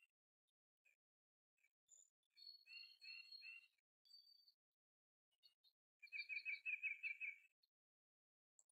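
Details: Scattered short notes from a kingfisher, a group of harsh ringing calls, a sustained thin whistle, then a quick chattering trill of about a second and a half. Captured in March 2023 using a Canon R7 and 100-400mm lens.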